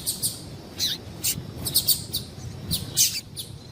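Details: Female yellow-bellied seedeater call, used to excite males into singing: short, sharp, high chirps in quick irregular clusters, some with a brief downward tail, over a low background hum.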